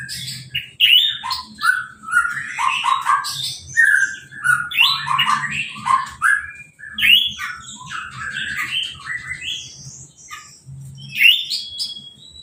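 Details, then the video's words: Uncovered caged orange-headed thrush singing right after its moult and a hose-spray bath: a fast, continuous, rich warble of varied whistles, chatters and mimic-like twitters that keeps going without pause. "Anis Merah Sehabis Mabung Mandinya Disemprot Selang , Gak Pakai Kerodong , Bisa Langsung Berbunyi"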